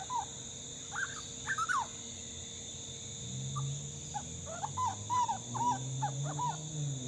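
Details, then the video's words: Young grey butcherbird fledgling, still learning its calls, chatting back while spoken to: short, mid-pitched warbled notes, then a quick run of six or seven chattering phrases, over a low rumble and a steady high hum. "Grey Butcherbird Fledgling Chat"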